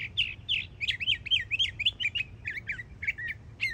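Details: Young Northern mockingbird in Florida delivering rapid, slightly harsh chirped notes, repeated about twice a second in a long rolling series that shifts pattern midway.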